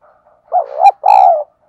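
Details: Spotted dove used as a decoy, calling in the morning, gives two rough, mellow coo phrases, the second longer and steady, with a sharp click between them.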